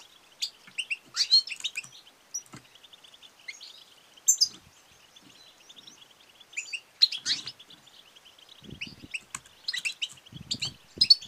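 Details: Female European goldfinch 'batbata' and 'satsata' calls, used to stimulate males to sing and mate: high buzzy twitters and tinkling notes in bursts with short pauses, and faint low knocks toward the end.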